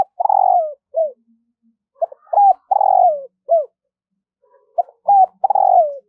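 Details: Morning calling of a decoy spotted dove luring wild doves. Low cooing phrases repeat roughly every two and a half seconds, each with quick lead-in notes, a long falling coo and a short final note.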